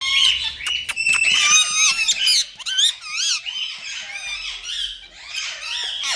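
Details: Pet Indian ringneck parakeet indoors giving harsh, rasping squawks and wavering, warbled high notes in quick irregular bursts, with clicks between calls.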